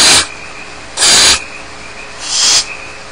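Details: At Starr Ranch, young barn owls left alone in the nest make three breathy, snoring hisses about a second apart. The last one is slightly softer.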